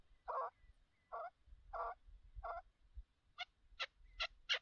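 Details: Chukar partridge in a hunting setting giving a series of separate harsh notes, four lower bursts followed by four higher, sharper ones, with faint low noise beneath.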